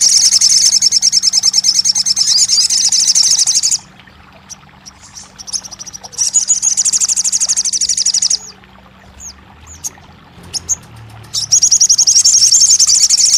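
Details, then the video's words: Crested jay, for a bird that has gone quiet: three long stretches of fast, metallic, high rattling trills separated by quiet gaps with a few faint notes. "TERAPI RAJANYA SOGON MACET BUNYI"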